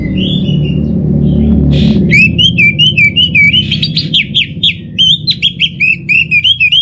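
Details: Orange-headed thrush singing a long run of loud, quick whistled notes that sweep up and down, mixed with buzzy trills, almost without pause, over a steady low rumble.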